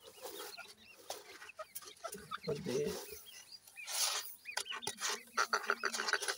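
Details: Black francolin chicks scuffling inside a house, giving overlapping high squeaky chirps and short sweeping peeps over a scratchy, clattering background.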